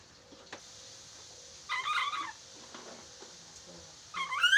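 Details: Chattering lory, used as a training recording to help a lory learn to talk quickly. Two rough, raspy squawks with stacked harmonics, the second rising sharply at the end, over a quiet room with a steady faint hum.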